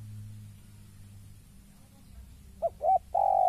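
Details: Spotted dove calling on seeing a rival; after a stretch of low hum, three soft, hooting coos at a steady mid pitch, the last one longer and cut off.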